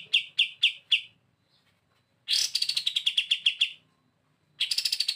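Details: Kapas tembak used to train other birds, calling four quick sharp chips, falling quiet, then breaking into a loud, fast trill of repeated notes that drops slightly in pitch, followed by another trill.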